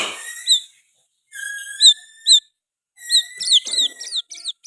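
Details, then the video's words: Oriental magpie-robin singing persistently, its song filled with sooty-headed bulbul phrases. Long level whistles and sharp upswept notes are followed by a quick run of tumbling chirps near the end. "KICAUAN KACER GACOR MBESET ISIAN KUTILANG"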